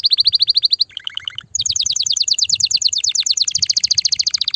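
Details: Mighty canary song to prepare females for mating: a steady trill, a short lower buzzy phrase, then long rapid rolling trills at about 200 notes per minute.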